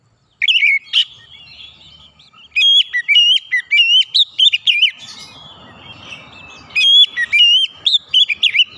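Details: Kacer (white-rumped shama) singing, played as therapy for stressed or silent birds: varied whistled and chirping phrases delivered in clusters, with a brief hiss of noise midway and renewed bursts of song.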